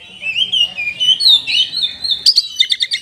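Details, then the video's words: Caged Oriental magpie-robin in full song, used to rouse lazy caged birds: a long flowing run of sweet, rising and falling whistles, ending in a quick burst of sharp repeated chips. "TOP KACER GACOR isian mewah 🔴 pas untuk pancingan burung Kacer loyo malas ngoceh jadi tambah EMOSI!!"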